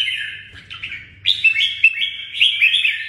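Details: Red-whiskered bulbul, a Vietnamese cage songbird, gives a bright warbling phrase, then a louder burst of quick rising and falling notes, with a steady low hum underneath.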